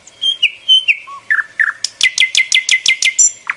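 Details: Songbird singing brief whistled slurs and a low soft note, then a steady series of about ten bright, sharply rising chirps in quick succession.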